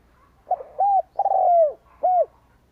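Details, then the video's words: Spotted dove decoy cooing to lure wild doves. A single phrase: a quick faint note and a short arched coo, a sustained downward-sliding coo, then one clipped closing coo. Clean, with only faint low hum. "Cu gáy kích lửa bổi cực nhạy"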